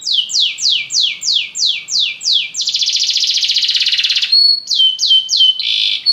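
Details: Belgian canary singing: a run of loud downward-sweeping notes about three per second, then a dense buzzy roll, then a few short sweeps and a steady whistled tone.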